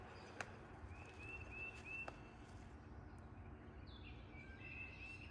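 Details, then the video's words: A bird sings in mid-May in a green nook of pines and firs on a lakeshore. Faint, thin whistled notes lead into a quick run of four slurred phrases, then more high whistles, over a steady outdoor hush with a couple of clicks. "Listen to this bird song."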